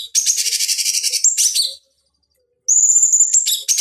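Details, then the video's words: Cucak cungkok bulbul song meant for training fighting birds: a fast, harsh, high chatter ending in a short whistle, about a second of silence, then a long level whistled note sliding into more scratchy chatter. "Masteran Pancingan Cucak Cungkok Ampuh Untuk Terapi Dan Masteran Burung Petarung"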